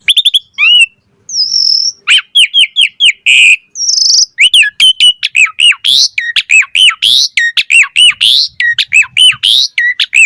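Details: Lively full-variation chatter from an Asian pied starling used as a lure recording for other starlings: dense run of sharp whistled upslurs, buzzy notes and quick repeated chirps, loud and continuous.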